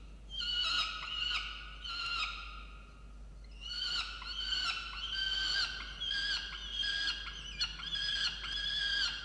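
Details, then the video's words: Angry peregrine falcon on a water-tower nest box, Orange, New South Wales, Australia, 8 November 2022, calling at its mate who brought no breakfast; two short harsh notes, a pause, then a fast run of grating, repeated wails. "Indigo angry on Dimaond for not bringing breakfast"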